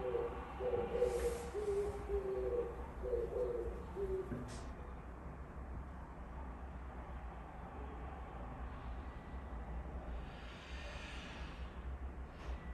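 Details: Oriental turtle dove singing outside a window: a few low, hoarse cooing phrases in the first four seconds, followed by steady background rumble and a brief sharp click.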